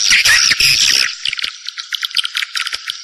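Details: Swiftlet lure calls for drawing birds into a bird house: a loud buzzy chatter for the first second, then quicker, quieter broken clicking trills continuing to the end.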